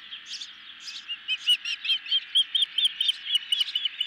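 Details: Hungry ospreys at a nest on a camera, being fed a medium-sized fish late in the evening of 10 July 2021. Clear, high whistled chirps repeat rapidly, about two per second, building louder through the clip.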